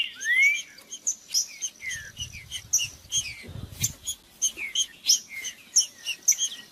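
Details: Green-winged saltator singing, played to warm up a cold caged bird: an opening rising slurred whistle, then a busy run of short, sharp high chirps and notes, with a brief low thump midway.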